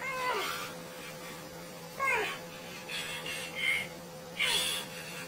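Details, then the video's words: Parrot making a strange, kid-like noise: short wavering squawks and whiny rising-falling cries in separate bursts about a second apart, over a steady background hum. "Funny bird parrot with strange noise like a kid"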